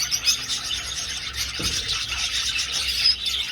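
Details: Budgerigars flying in an old aviary: busy high-pitched twittering and squeals from many birds, with one short low thud midway.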